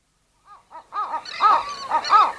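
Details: Western gull pair at their nest giving low-intensity anxiety calls, recorded close up: two soft short notes, then a run of nasal, arched mewing calls repeated about every quarter second, growing louder toward the end.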